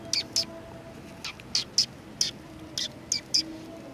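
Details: Several sparrows greeting the recordist at a community hall on 16 July 2020, giving short, sharp high chirps in loose pairs and singles spread over a few seconds, with a faint steady hum underneath.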